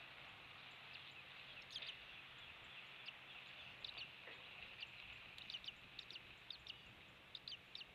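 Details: Eagle calling at its nest on Captiva Island, Florida, early morning of 16 January 2023, captured by a fixed camera: thin, high piping notes, scattered then quickening into a run of chitters, under broad steady noise.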